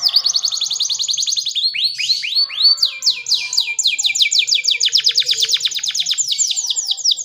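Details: Domestic canary in full, continuous song with a rich, varied style: rapid trilled rolls of repeated notes, a run of descending swept whistles, then fast buzzy rattles and trills, all high-pitched and unbroken for over seven seconds.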